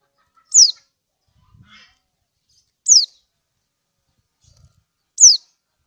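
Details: Lemon-bellied white-eye (kecial kuning), Lombok, a female calling a male to raise breeding mood: three crisp, high chirps sweeping downward, roughly every two and a half seconds, with faint soft rustles.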